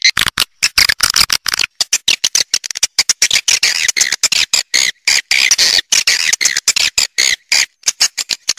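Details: A swiftlet roosting call recording: swiftlets give a dense, high, scratchy chattering of rapid chirps, broken by abrupt short silences throughout.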